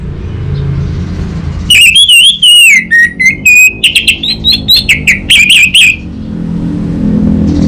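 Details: Orange-headed thrush from Bali, Indonesia, singing to prompt a young bird: one continuous phrase of about four seconds, sliding whistles then quick staccato chirps and rising warbled notes, with low background rumble.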